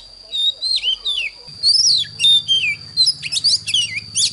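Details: Oriental magpie-robin morning song, used to train young birds to sing: varied clear whistled phrases, rising and falling slurs and short notes in quick bursts, over a steady thin high tone, with a low rumbling buzz from midway.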